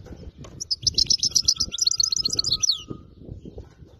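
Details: European goldfinch, caught in the wild, singing a fault-free song. One fast run of bright, liquid twitters and chirps ends in a downward slur. A faint steady whistle-like tone and low background rumble are also present.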